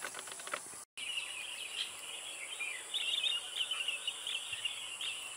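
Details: Chestnut-headed bee-eater giving a rolling run of rapid trilled chirps, fairly continuous in the second half, against a constant high-pitched background hiss, with a short dropout near the start.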